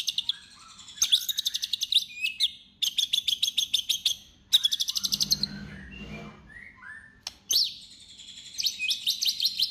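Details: Energetic White-rumped shama song meant to goad rival shamas into singing: several bursts of rapid, very high trilled notes separated by short pauses, with a softer scratchy passage midway.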